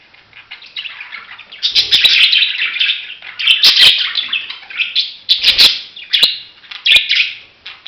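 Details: Budgerigar warbling loudly and almost continuously, with buzzy, scratchy chirps and chattered phrases broken by sharp clicks and taps throughout.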